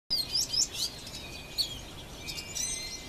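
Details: A goldfinch singing in a tree gives quick, high twittering phrases in short bursts, with a thin steady whine running underneath throughout.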